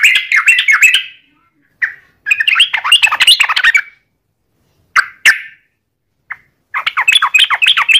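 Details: Sooty-headed bulbul lure song meant to make other bulbuls sing, given in several lively bursts of fast bubbling, chattering notes separated by short pauses and a few single notes.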